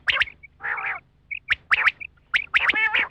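Quail giving harsh, nasal squawking bursts in quick doubled and tripled notes, with brief high clear pips between, roughly once a second.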